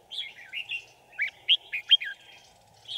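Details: Decoy red-whiskered bulbul singing at a trap to draw in wild birds, 5 January 2018; quick chirpy warbled notes in a short burst, ending in a pause, with a constant low background hum.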